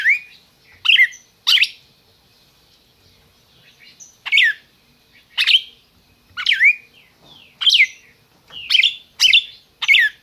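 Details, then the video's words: Red-crested cardinal from a registered captive breeding program in Brazil, calling and singing in clear, bright slurred bursts. Some come in quick pairs, some spaced by a few seconds of quiet, and later they come faster in close succession. "Cardeal MAQUINA chamando e cantando"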